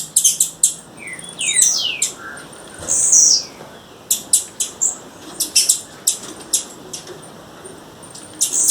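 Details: Female blue-black grassquit calling in the wild: a busy run of sharp, high chips and short descending whistled notes, many in quick clusters, with brief pauses between bursts.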